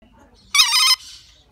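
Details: A seven-year-old lorikeet mimics a ringing telephone with a short, bright, trilled burst lasting under half a second, with a softer rasping tail.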